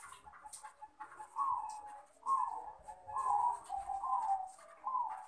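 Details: Male perkutut, a zebra dove of Bangkok cross breeding, calling out a rival: repeated soft, rolling coo notes roughly once per second, each a brief warble dropping in pitch, over light hiss and faint ticking sounds.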